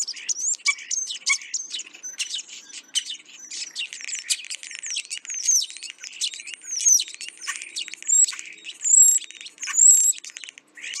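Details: Several Asian glossy starlings eating ripe papaya at a home give a busy stream of sharp, high metallic whistles, squeaks and chattering notes, calling over one another almost without pause.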